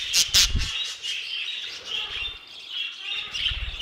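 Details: Caged budgerigars in an aviary warble in a continuous high chatter, opening with two loud sharp squeaks alongside heavy low thumps, more thuds later.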